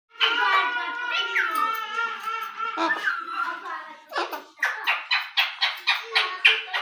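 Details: Pet rose-ringed parakeet talking indoors in a small room, repeating words in a voice full of harmonics, then a run of about eight short, evenly spaced squawk-like syllables at the end.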